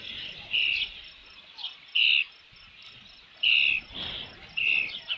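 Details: Osprey at a nest with a fish at Dunrovin Ranch, 3 June 2018, about 5 PM: short high whistled chirps in spaced bursts, about five in five seconds, over faint background hiss.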